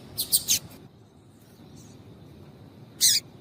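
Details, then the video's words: A female double-collared seedeater calls to stimulate a male. Three quick, high, bright chirps come close together, followed by a long pause and then a single louder chirp. "Piado de fêmea de Coleiro Chamando Quente para Esquentar Coleiro tui tui"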